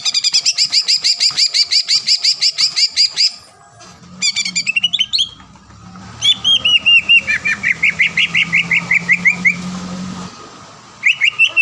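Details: Green leafbird singing hard to provoke an opponent: a long, rapid string of high repeated chips, a brief twitter, then another long descending series of sharp notes after a pause.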